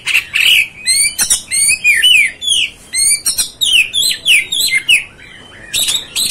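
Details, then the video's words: Oriental magpie-robin (kacer) song used to provoke another bird: loud, rapid series of whistled, downslurred notes around the upper midrange, mixed with sharp high chirps and harsh bursts, almost continuous with brief gaps. "MEMANCING | MEMBAKAR EMOSI KACER ANDA"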